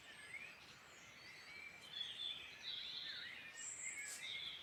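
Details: Rural birdsong in Ireland's Midlands: a lively tangle of high twittering phrases, quick trills and short piercing whistles, several birds singing at once and rising in intensity toward the end, with gentle background hiss.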